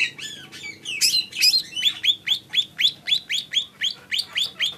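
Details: Lesser green leafbird song opening with a few buzzy, scratchy notes, then a steady run of rising whistled chirps repeated about three times a second.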